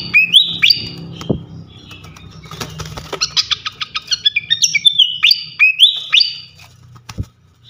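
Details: Flycatcher song for training cage birds: paired high slurred whistles open the clip, then a rapid chattering burst of clipped notes and more whistled phrases, with a few dull thumps.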